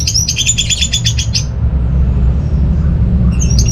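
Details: Orange-headed thrush song: a rapid, even burst of high twittering notes lasting over a second, then quiet. A brief high note returns at the end, all over heavy low rumbling noise.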